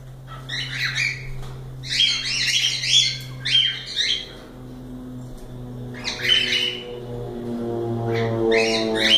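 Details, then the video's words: Cockatiels squawking in harsh, buzzy bursts, with a steady low hum underneath and a rising mechanical tone toward the end. "Calopsitas Live de Agradecimento aos 500 Novos Inscritos Canto dos pássaros ASMR"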